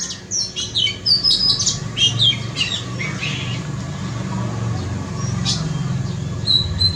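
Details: Oriental magpie-robin in a front yard: a burst of varied whistled notes and chirps in the first three seconds, then quieter, with a low rumble of background noise and a few thin high notes later.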